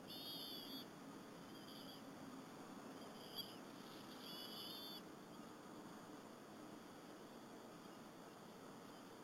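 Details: Bald eagle mother feeding two eaglets a squirrel at the nest on an April 30, 2015 afternoon at Berry College: thin, high whistled calls with a bright ringing quality, repeated several times over five seconds, then only steady background hiss.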